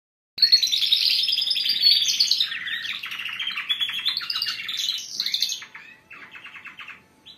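Several canaries sing together in a fast, continuous stream of bright trills, rolls and chirps, high-pitched and dense, thinning to softer trills near the end.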